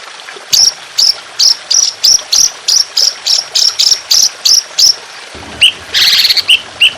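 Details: Trotolan, an Indonesian songbird, in a training recording for songbirds in the harsh, long rolling 'tembakan' style: a run of sharp high whistled notes about three per second, then a denser burst, over steady trickling water.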